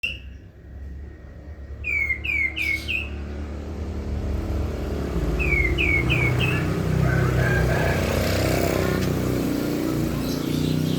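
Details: Prinia singing actively: two bursts of four slurred, downward-sweeping whistles, quick and evenly spaced, while a vehicle engine rumbles and grows louder in the background.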